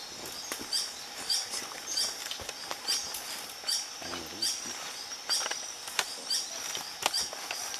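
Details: Green hermit recorded in 2014 at a nature reserve in Vereda San Peregrino, Manizales, Caldas, Colombia, giving a high, squeaky note repeated about twice a second over a hiss of insects and a few soft clicks and taps.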